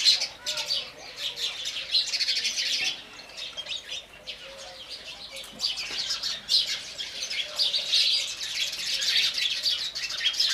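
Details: House sparrows drinking water, a flock giving dense overlapping high chirps and tweets in bursts that swell and fade every few seconds, with a faint lower wavering tone running underneath.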